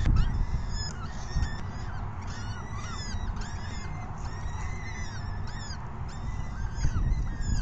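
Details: Evening feeding of peregrine falcon chicks, 6 PM on 14 May 2021, with chicks begging in insistent bursts of arched, wailing notes, several overlapping, over a steady low hum.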